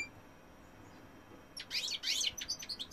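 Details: A male European goldfinch sings after a quiet opening: a brief, bright burst of jangling twitters and short chirps in the second half.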